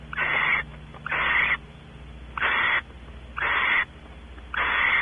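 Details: Barn owls at Audubon Starr Ranch, California, the male exploring the nest cavity while the female expects mating; harsh, breathy hissing screeches, each about half a second long, five bursts spaced roughly a second apart, with a faint low hum beneath.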